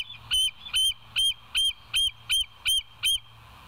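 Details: Bald eagle at the West End site, live cam, 28 August 2023, 07:02: a steady run of eight sharp, high-pitched piping yelps, evenly spaced roughly every half second, over a faint constant low hum.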